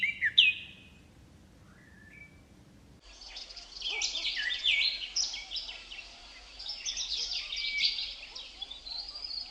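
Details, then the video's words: Leaves rustle in the wind while a bird gives a few clear high chirps, then a loud hissing rush of noise carries a dense high twittering chorus. "Wind blows leaves, leaves bird chirping sound"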